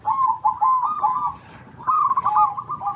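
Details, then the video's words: Local zebra dove song used to lure other zebra doves; two rolling cooing phrases of rapid pulsed notes, separated by a short quiet gap, over faint low background noise. "PERKUTUT LOKAL GACOR PALING DISUKAI 🐦 Suara Asli Bikin Semua Perkutut Dimanapun Pasti Nyaut"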